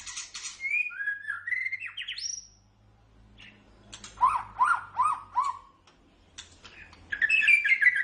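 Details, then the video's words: White-rumped shama song used as a training recording for other songbirds: whistled notes sliding up and down, a pause, then a run of five loud descending phrases, followed by a bright warbled burst at the end. "SUARA MASTERAN - Ocehan Burung Murai Batu"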